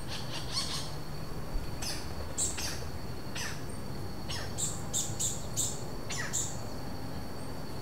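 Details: A pair of robust woodpeckers (Campephilus robustus) trade harsh, scratchy interaction calls in loose bursts, some notes doubled, over a steady high insect whine and low rumble; Vargem Grande Paulista, São Paulo, Brazil, April 2023, no playback used.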